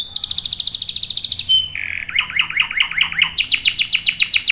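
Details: Canary singing a long roll for young birds to copy: a fast high trill, a short flat whistle, a lower wavering roll, then a bright, rapid trill rising back to a higher pitch.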